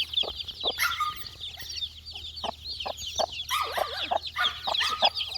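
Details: Flock of four-day-old chicks hunting insects: constant high twittering peeps, punctuated by short lower chirps and quick clicking pecks.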